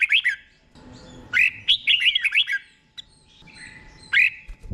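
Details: Caged red-whiskered bulbul in Thailand giving a slow, clear song for young caged birds to learn; short runs of liquid, rolling whistled notes broken by brief gaps, with a soft low rustle underneath.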